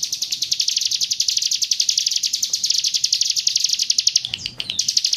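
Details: Hill prinia giving 'roll tembak' song from East Java: a rapid, unbroken string of bright, high chirped notes, about four per second, with a short break and a soft rustle near the end.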